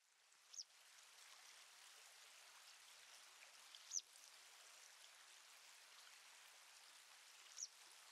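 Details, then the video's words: Citrine wagtail giving three brief, sharp high calls spaced a few seconds apart over the steady rush of a stream. "Citrine wagtail"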